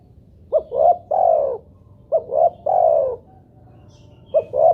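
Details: Spotted dove lure call, meant to get doves calling, in the three-note style: two full phrases of a short note, a rising coo and a long falling coo, followed by the start of a third phrase.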